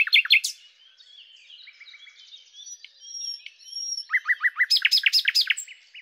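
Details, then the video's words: Common nightingale, Luscinia megarhynchos, singing loud sharp notes, then a long soft stretch of thin whistles and faint twitters, before a strong series of repeated slurred notes and a closing whistle. "#Common_Nightingale (Luscinia megarhynchos)"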